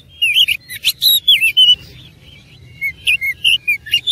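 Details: Oriental magpie-robin (kacer) singing loud, persistent fighting-style song with rich isian fill-in phrases: two bursts of rapid whistled, slurred and chattering notes around the upper-middle range, separated by a brief quiet gap.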